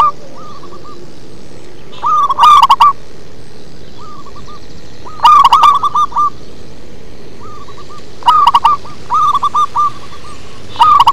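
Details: Bass-voiced local zebra dove singing in manggung style: repeated phrases of rapid, clipped coos, each led by a loud distorted note then a string of quieter ones, coming about every three seconds.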